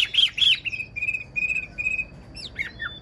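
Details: Old wild-caught caged Chinese hwamei, praised for an excellent voice, gives two loud ringing whistled notes, then a run of short even trills and a few falling slurred whistles. Low room hum is underneath.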